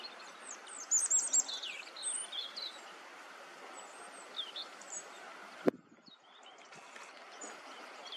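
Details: Male common chaffinch: a burst of high, sharp chirps and twitters over the first three seconds, then a few fainter notes over a steady hiss and one sharp click.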